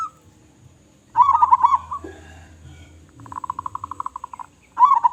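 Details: Local zebra dove with a big voice: a loud bubbling trill, a pause, then about a dozen rapid, evenly spaced cooing pulses, and a fresh trill at the end.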